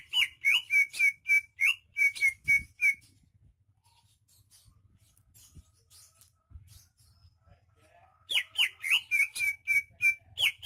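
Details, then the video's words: Greater green leafbird from Banyuwangi, said to be rare and in full song: fast runs of identical clear, slurred whistles, about three per second, in two bouts with a quiet gap holding faint knocks. "Suara kicauan burung cucak ijo KTP Banyuwangi gacor"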